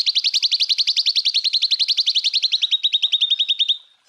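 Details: Greater green leafbird in a burst of song, recorded to train other songbirds: a quick trill of sharp high notes, about three per second, gradually steadying in pitch and fading out abruptly after nearly four seconds.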